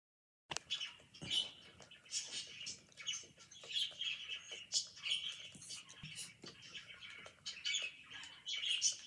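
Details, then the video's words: Pet budgerigar chirping while eating: soft continuous warbling chatter of short buzzy and squeaky notes, fairly quiet, with faint rustling and clicks underneath. "EATING AND BEING CUTE #chirpingbirds #budgie"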